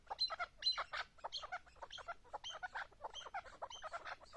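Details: Chukar partridge with harsh, raspy notes in quick uneven bursts, higher and noisier than plain clucks, repeated almost twice a second with no other clear sounds.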